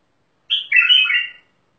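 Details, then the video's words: Mandali bulbul singing one short, rich phrase: a bright opening note followed by a warbling, slightly descending flourish lasting under a second, with a silent background. "بلبل مندلاوي"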